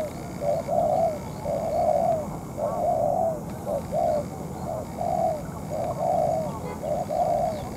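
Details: Spotted dove used as a ground-trap decoy while in moult: throaty coo phrases, some drawn out, some clipped, paced around one per second, with steady background noise.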